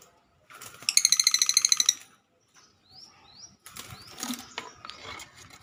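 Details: Lovebird chatter (ngekek) used to provoke a rival lovebird into chattering and getting excited: a rapid harsh burst of about a dozen rattling notes over one second, then short upward whistled slurs and scattered sharp chirps with clicking sounds.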